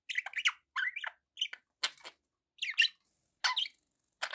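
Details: Budgerigar chirping among pets: separate sharp chirps and squawky warbles in clusters about half a second apart, some rising and falling, with quiet gaps between them.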